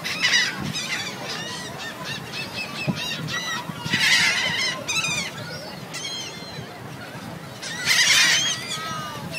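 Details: Gulls on City Island giving loud, ringing squeals and nasal yelps in clustered bursts, several birds overlapping, with quieter background calls between the peaks.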